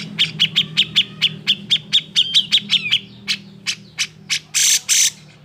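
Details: Emotional grey-cheeked bulbul song aimed at provoking idle birds into singing: a steady series of about thirteen short clipped notes with slurred whistled tails, followed by louder harsh buzzy bursts.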